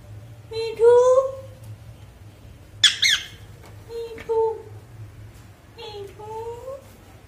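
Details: Pet parrot talking indoors with its owner, giving short harmonic speech-like syllables with rising inflections, one harsh squawk burst midway, spaced phrases over a low background hum.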